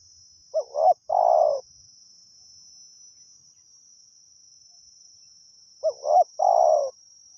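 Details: Spotted dove, a wild forest bird, calling during a Thai decoy-luring session. There are two well-spaced phrases about five seconds apart, each a quick double note followed by a long mellow falling coo, over a continuous high insect-like whine.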